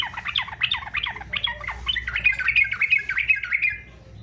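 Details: Yellow-vented bulbul singing in fighter style, used to prompt other bulbuls to sing: a fast, continuous chatter of sharp, tumbling notes that slide up and down, more even and trilled toward the end, with low hum underneath.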